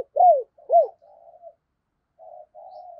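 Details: Spotted dove used as a lure for wild doves gives two loud, arching coos, then quieter, flat, grating notes after a short pause.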